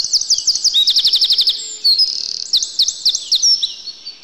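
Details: Eurasian wren in a yard in winter, delivering loud, very high, fast song: rippling looped notes, a dense machine-gun trill of repeated clicks, then more bright looping warbles, with no other sounds competing.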